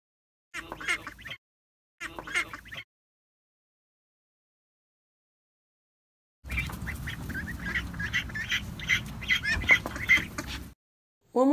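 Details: Domestic ducklings in a comparison of female and male duckling calls: two short bursts of thin, high cheeps, then a longer run of rapid, insistent peeps over a rough, noisy background.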